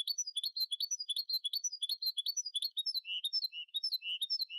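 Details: Goldfinch × canary mules (goldfinch mules, "pios corbatas"), recently moulted, sing a fast, high, tinkling twitter of chirps and trills, running on without pause and dropping to lower notes near the end.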